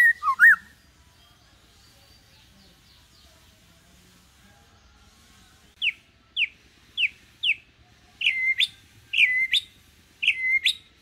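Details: White-rumped shama lure recording set at low intensity to teach juvenile birds to sing: a short whistle, a pause, then clear downslurred whistles about twice a second, ending in louder notes with sharp, high upswept flourishes.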